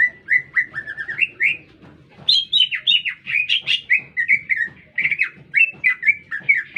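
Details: Lesser green leafbird in energetic song within a city, a continuous chatter of short whistled and chirped notes rising and falling, with a steady low background drone.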